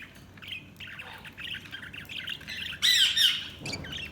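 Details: Budgies chirping: a steady chatter of soft high warbling notes, rising to a louder burst of harsh squawky calls near the end.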